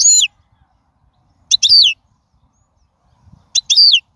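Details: Wild European goldfinch song phrases, used for teaching young birds: three bursts of high, sweeping, downward-slurred twittering notes spaced about two seconds apart, with quiet pauses between.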